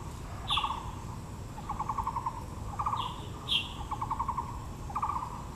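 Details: Blue magpie in Taipei's Yangmingshan Park among azaleas: a steady series of dry rattling pulse groups spaced about a second apart, punctuated by two sharper high chirps, over a low outdoor drone.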